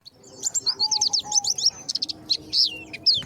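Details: Oriental white-eye lure call used to draw wild birds together: quick bursts of high, thin chirps and short down-slurred notes, uneven in spacing, with a faint low tone beneath.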